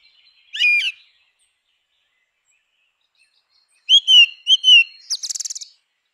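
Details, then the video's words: Grey-winged blackbird song: one short warbled phrase, a three-second silence, then a series of melodious slurred whistles followed by a rapid, buzzy high chatter. "Canção do melro com asas cinzentas! Som de melro com asas cinzentas!"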